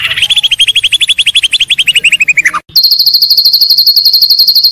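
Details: Master training song for white-rumped shama, top quality: a rapid run of repeated chirps that slowly falls in pitch, a short break, then a steady, very fast high trill.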